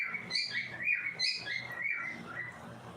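Young cockatiels chirp continuously in bright, scratchy, overlapping notes, several per second, with a faint low household murmur underneath.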